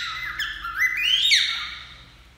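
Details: Singing cockatiel that also says "Que menino bonito". A short, squawky, rich phrase climbs in pitch and then drops back, with harsh overtones throughout and a fading tail.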